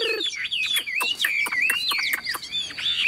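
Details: Tame, newly acquired Chinese hwamei with yellow legs and bill, caged and hung up singing before being handled: a loud, rich run of varied whistled phrases with sweeping rising and falling notes interleaved with sharp chips, continuous and energetic.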